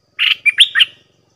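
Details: Single quick phrase from a caged Red-whiskered bulbul in a singing contest with wild birds: four clear, slurred whistled notes rising and falling, bright and loud.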